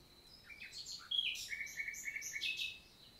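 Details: Wild common nightingale in Lot, south of France, June morning in countryside forest: varied sharp whistles and chirps, a sudden loud note, then a steady run of rapid repeated pulses.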